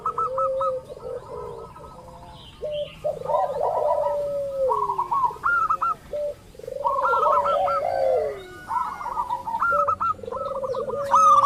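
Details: Lure recording of local zebra doves to trigger answering calls: repeated bursts of rolling, stuttered coos sweeping downward, interleaved with quick series of short higher notes, several birds overlapping throughout.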